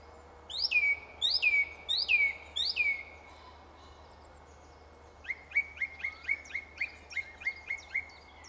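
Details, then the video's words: Singing in a tree, a song thrush delivers a falling whistled phrase four times, pauses, then a rapid run of about eight short clipped notes, each repeated in a steady rhythm. "Song Thrush singing in a tree"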